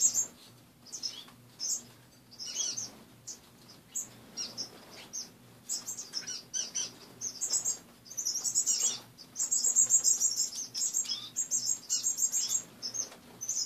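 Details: Caged pet finches chirping one morning in a cleaned, partly emptied cage; many short high tweets, sparse at first, then dense rapid runs of bright notes near the end, over a steady low hum.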